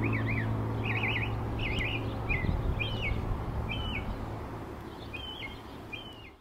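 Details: Northern mockingbird singing at Old South Cemetery on 17 April 2024, a medley of bright, chattering phrases, each repeated a few times before switching, over a steady low rumble of distant traffic.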